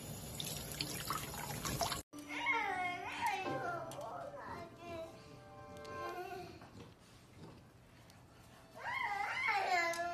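A sun conure warbles and chatters in bending, rising-and-falling whistled notes, with running water behind.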